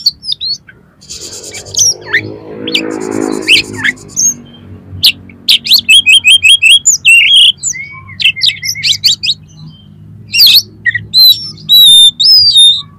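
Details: Oriental magpie-robin singing to lure competition birds: after a short scratchy buzz, fast runs of sharp repeated whistled notes and clipped chips, then loud sweeping whistles and varied mimicked phrases.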